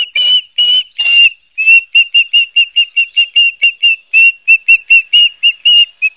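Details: Osprey at the Barnegat Light nest in New Jersey, September 12, 2022, caught by a live camera. A few longer, drawn-out whistles open a rapid series of about two dozen short, shrill chirps at an even high pitch.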